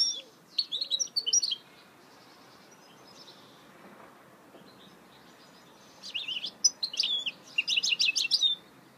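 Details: Song of a goldfinch mule: one brief twittering phrase, a long quiet gap with background hiss, then a louder rapid sequence of high, sharp chirps and trills.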